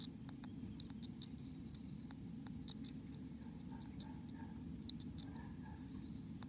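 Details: Black-capped Chickadee inside its nest: thin, very high chirps and squeaks in quick, uneven bursts over a steady low hum.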